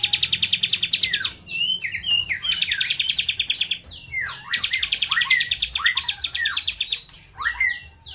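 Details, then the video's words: White-rumped shama (murai batu) singing in full voice, imitating lovebird, kapas tembak and pijantung gunung: rapid stuttering high notes fired many times a second, broken by sweeping downslurred whistles and dense chattering trills, nearly continuous throughout. "MURAI BATU GACOR || TEMBAKAN Love bird,kapas tembak dan pijantung gunung"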